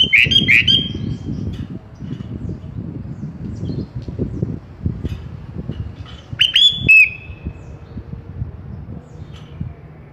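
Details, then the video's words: Sooty-headed bulbul (kutilang) song used as tutoring material for caged birds: short bubbly phrases of clear, slightly descending whistled notes, one burst at the start and another near the seven-second mark, over low rumbling background noise. "Suara Merdu Kutilang"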